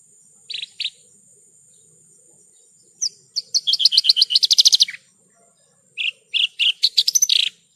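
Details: Horsfield's bush lark from a non-stop tutor recording for pet songbirds: two chirps, a pause, then a long fast trill of repeated notes, and later a string of varied, quick chirped phrases.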